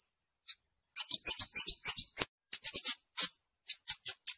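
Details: Scarlet-backed flowerpecker song: a fast run of very high, thin, tinkling notes that tumble and alternate in pitch. After a short pause come separate high ticking notes at a steady pace. The background is quiet.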